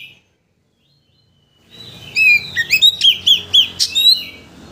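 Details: Kacer, or Oriental magpie-robin, lure song meant to rouse another bird into unloading its repertoire: after near silence, a rapid string of clear, high, slurred whistles and chips, about two per second.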